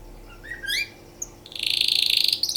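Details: Canary singing for mating: a few soft rising whistled notes, then a loud, fast rattling trill.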